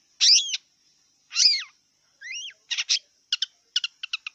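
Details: Wild long-tailed shrike singing: two loud harsh downward-curving notes, a clearer rising double whistle, then a quickening run of short dry chips, over a steady high hiss in the background.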